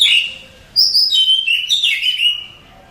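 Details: Oriental magpie-robin, contest champion, singing a bright phrase of high clear whistles that step downward, with a slurred flourish at the end.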